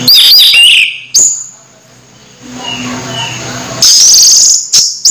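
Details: Orange-headed thrush about to moult but still singing. A loud, high slurred phrase opens, then a long quiet gap, followed by thin, very high whistled notes near the end.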